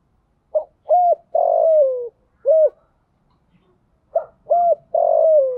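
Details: Spotted dove kept as a decoy to lure wild doves, cooing its phrase twice: short note, arched coo, long descending drawn coo, closing rounded coo, with a brief pause between phrases.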